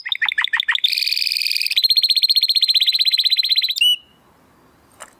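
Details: Male Timbrado Español canary from rated parents, born 2020, delivering a training song for other canaries: a few quick sweeps, a buzzy rattle and long rolling trill ending on a short whistle, followed by quiet.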